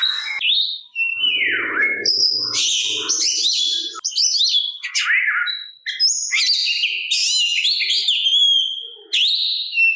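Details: Kacer, the Oriental magpie-robin, in song meant to draw replies from rival magpie-robins and stir their fighting spirit; rich run of sweet whistles, descending slurs and harsh buzzy bursts with brief pauses, a low rattling sound near the start.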